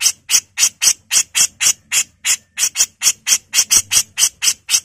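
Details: Grey-cheeked bulbul, a female from Java, delivering a long unbroken burst of rough 'mbesetan' singing: around twenty loud, grating, buzzy notes at a steady quick pace of about four per second.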